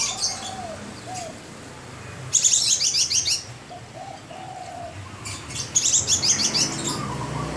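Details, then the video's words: Mottled caged Javan bush lark singing busily: two bursts of very high, fast chirping notes separated by a quieter stretch of soft, low whistled slurs. "Branjangan gacor dor"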